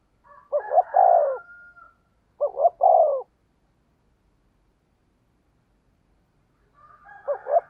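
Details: Spotted dove decoy call in the 'thúc gù giọng thổ đồng' manner: two mellow, low coo phrases close together, each a stuttered double note running into a drawn-out coo, then silence before a third begins.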